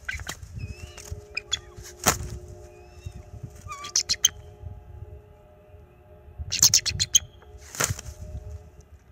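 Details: Bald eagle pair defending their NCTC nest from a perching owl, March 7, 2024. The young male gives bursts of shrill, rapid chattering notes with some thin whistled slides, plus loud broadband thumps from wing flaps and low nest-camera hum.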